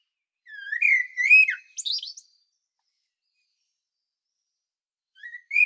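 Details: Common blackbird song from Sljeme, Medvednica Mountain, Zagreb, Croatia: a rising then wavering flute-like warble ending in a shrill squeaky flourish, a long pause, then the next phrase starting; Panasonic Lumix DC-TZ90 recording.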